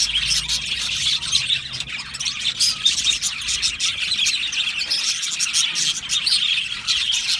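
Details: Australian budgerigar colony in an aviary, a dense, continuous chatter of high chirps and warbles from many birds at once, with rapid overlapping notes and no pauses.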